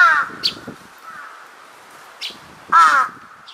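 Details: A large-billed crow, answering distant calls on 2 September 2022, gives two harsh, nasal caws about two and a half seconds apart, with faint clicks and rustles between; it is startled by an unexpected call overhead.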